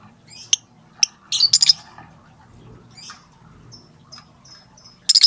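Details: Lovebird calling companions: scattered single high ticks, a quick run of shrill chirps, faint thin whistles, and a final loud burst of 'tik' notes.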